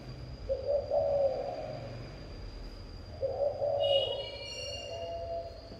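A spotted dove gives two low, soft, rolling coo phrases about three seconds apart. A thin steady high whine and a few brief higher chirps run behind.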